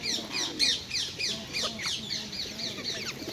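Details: Wild rose-ringed parakeets at a well-known Hyde Park feeding spot, being hand-fed and perching on people, some aggressive. They give harsh, shrill, overlapping screeches in a rapid chattering flock chorus, several calls a second, over a faint murmur of voices.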